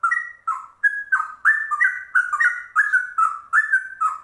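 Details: Yellow-vented bulbul, a rare trucuk with cucak rowo-style ropel song, pouring out quick fluty phrases, each a pair of slurred notes, tightly strung with barely a pause, faint sharp chips overhead.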